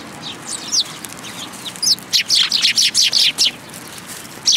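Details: Eurasian tree sparrows gathering at Tenmangu shrine to be fed, 10 February 2022; a few scattered high chirps open, then a run of about eight bright, sharp chirps in quick succession and one more at the end.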